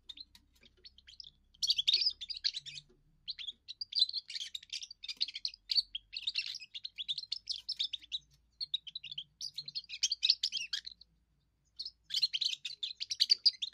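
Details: Young European goldfinch in its first song, declaring territory and impressing females: sustained rapid twittering with buzzy notes and fluid trills, delivered in repeated dense phrases with short pauses.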